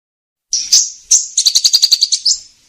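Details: Sunbird lure sound used for trapping: a thin high slurred whistle, then a rapid run of about ten sharp, evenly spaced high chips, clean with no other sounds.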